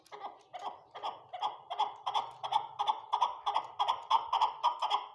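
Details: Farm chukar partridges: steady chuckling series of sharp two-part chuk notes, about three per second, holding an even pace and loudness throughout.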